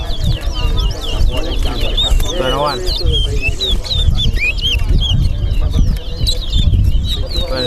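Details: Chestnut-bellied seed finches (towa towa) competing in a bird race at the Lamaha & Vlissengen Road bird ground, Guyana, deliver rapid, sweet warbled phrases of high slurred notes almost without pause, over a murmuring crowd and a voice counting the notes aloud.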